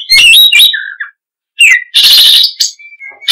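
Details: Oriental magpie-robin producing whistled slurs and a low descending note, then a loud harsh rasping burst followed by a thin level whistle.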